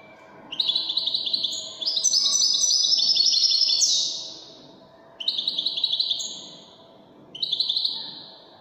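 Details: European goldfinch, called Widani goldfinch, singing in bursts of bright, fast, buzzy twittering with tinkling notes; a long phrase, then two shorter outbursts separated by pauses, over faint low background hum.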